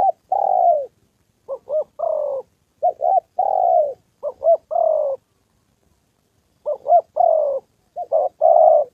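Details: Spotted dove used as a decoy during training in Gia Lai, Vietnam, over the 2 September holiday, with a wild male and a female nearby: repeated phrases of paired short coos, each ending in a longer falling coo, with a brief silent gap.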